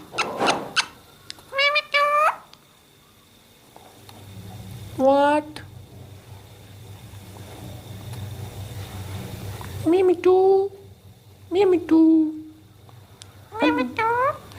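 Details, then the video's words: Talking parrot uttering short, harmonic, speech-like phrases in separate bursts of about half a second to a second, with quiet gaps of several seconds between them and a steady low hum underneath. "talking parrot"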